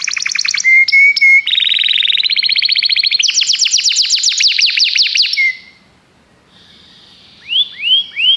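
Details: Common canary singing: fast rattling trills at shifting pitches, a brief steady whistle, then a higher trill of rapid notes, a pause, and three rising whistled slurs at the end.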